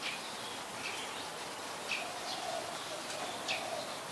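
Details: Malaysian pied fantail, a common resident of Ubon Ratchathani, Thailand, recorded 14 January 2021: thin, squeaky, slightly downslurred high chips repeated irregularly, over a soft low murmur of other notes and background hiss.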